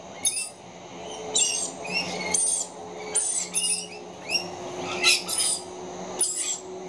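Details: Very young rainbow lorikeets, two chicks, screeching for food: shrill, rasping high-pitched cries in short bursts roughly twice a second, with a faint steady hum behind.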